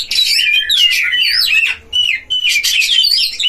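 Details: Caged Oriental magpie-robins dueling at a breeding enclosure, a lure meant to rile other magpie-robins. Rich, rapid song of sliding whistles mixed with buzzy, harsh notes, with short pauses near the middle and end.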